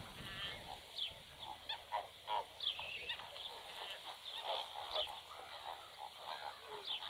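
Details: Two newly hatched Black-winged stilt chicks, already feeding themselves beside the nest where one egg remains, give thin, high, short peeping calls repeated several times a second over a steady hiss.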